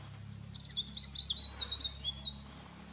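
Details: White-throated laughingthrush at Chopta, Uttarakhand, India, in May 2016: a continuous high, squeaky chattering run of quick warbled notes lasting about two seconds, with faint low hum underneath.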